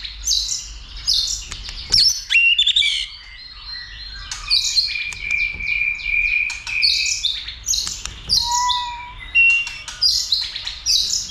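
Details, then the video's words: White-rumped shama being trained to sing heavily and spar: repeated high, sweet twittering bursts about once a second, with long level whistled notes between them. "Kích Chòe lửa Lên Lửa, hót nhiều,chòe lửa đánh đuôi kích đấu .luyện chòe lửa hót nhiều giọng"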